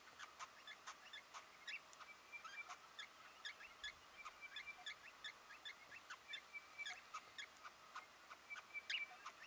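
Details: White-browed woodswallows in Victoria, Australia, in November 2014, give a steady stream of short, harsh chipping notes, several per second and overlapping, as from a small flock calling together.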